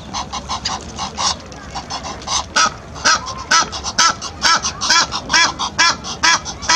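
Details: A pair of Egyptian geese in a militant mood chase off another pair along the edge of the Serpentine. Loud, harsh, rasping honks are repeated rapidly at a steady rhythm, roughly two per second, over faint background noise.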